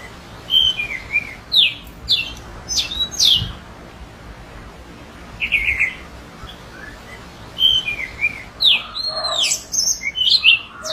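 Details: One of a pair of orange-headed thrushes in the wild sings short, varied phrases of clear whistles and buzzy, slurred notes, with some motifs repeated every few seconds; no other sounds stand out.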